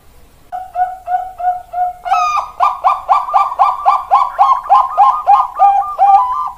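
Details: Bangkok-strain zebra dove singing indoors: soft spaced coos build into a brighter, buzzier, rapid train of rolling notes that continues steadily with little pause.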